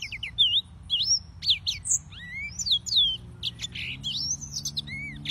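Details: Yellow-fronted canary (Serinus mozambicus) singers in song: a fast, varied twitter of high whistled slurs, some rising and some falling, tumbling together without pause over a faint low hum.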